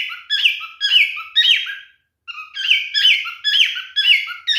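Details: Male cockatiel calling during mating behaviour: loud whistled notes that rise and then glide down, given in quick groups of three or four, with a short pause between two bursts.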